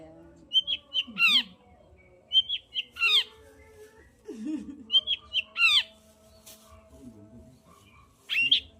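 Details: Long-tailed shrike song used to stir a quiet shrike: short whistled notes leading into a rising, buzzy sweep, repeated in three similar phrases, with lower grating sounds between them.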